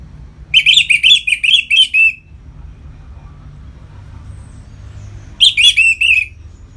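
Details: Orange-headed thrush singing ngeplong style, used to rouse other birds toward breeding condition: a run of around eight fast, rich warbled notes, a pause of about three seconds, then a shorter burst of five similar notes.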